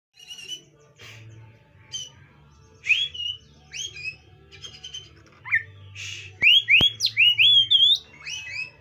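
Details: Oriental magpie-robin song used to call a stressed magpie-robin: varied clear whistled phrases with rising slurs and short chirps, growing louder and quicker toward the end, over a faint low hum.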